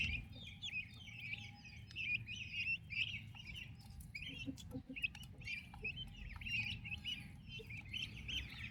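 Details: Active turkey chicks kept with their mother: continuous chorus of thin high peeps from several chicks, with scattered clicks and pattering sounds underneath.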